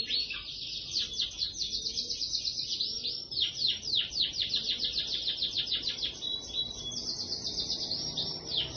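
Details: Rasmi canary song from a bird wearing ring 25, in long unbroken 'kereta' delivery: a high, rapid rolling trill of repeated sweeping notes, kept up without a pause for nearly nine seconds.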